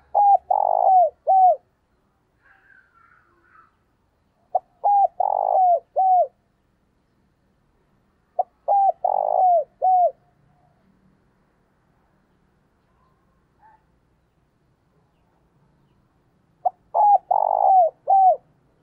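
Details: A decoy dove gives short bursts of deep, throaty coos, a few notes each, repeated every few seconds. The recording is used to train and excite other doves.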